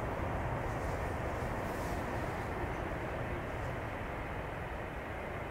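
Steady loud engine rumble, like a passing vehicle or aircraft, fills the whole recording with no animal calls.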